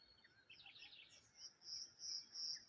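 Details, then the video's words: Morning bird sounds by the water near a lone tree: a jumble of soft twittering, then a high thin note repeated three times at an even pace, each one swelling and fading. "Morning Birds Sounds"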